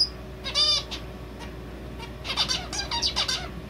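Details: Male zebra finch kept as a pet, its song incorporating red avadavat calls: two short runs of nasal, buzzy harmonic notes and chirps with a brief high peep at the start, faint room hum underneath.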